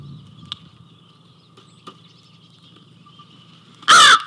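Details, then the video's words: A crow at an Ontario feeder, seemingly feeling crowded before moving off, gives a single loud, harsh caw near the end over a steady high whine and faint clicks; 28 April 2024, about 12:10. "Crow sounds"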